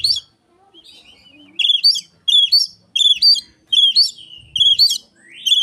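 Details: Oriental magpie-robin imitating an Asian pied starling as a lure; after a quiet start, five loud, piercing upslurred whistles follow each other at even intervals, roughly one per second.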